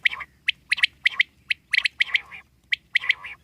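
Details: Rapid, sharp liquid three-note phrases from a wild common quail, repeated about every half second to second, loud and clear against a quiet background.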